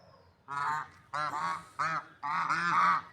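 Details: Four drawn-out, hoarse swan honks are given about half a second apart, the last one longest and wavering.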